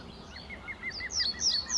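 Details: Reed bunting filmed at RSPB Fowlmere in March, early morning before sunrise on a warm spring day, with many others calling and singing nearby. Thin high chips run through the clip, then several loud, sharp, descending high notes follow about every third of a second.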